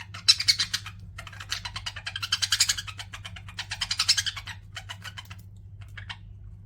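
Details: Pet budgerigars chatter in bursts of fast, scratchy chirps and warbles, high-pitched and busy, with short pauses between runs over a low steady hum.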